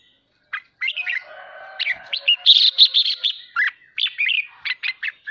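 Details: Red-whiskered bulbul song played to provoke pet birds into singing: a dense, continuous run of quick chirps and whistled notes, rapidly repeated with little pause.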